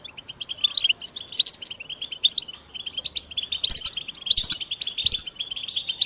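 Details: American goldfinch song, about 88 chirps a minute in uneven bursts of bright, high, slurred notes over a constant soft twitter.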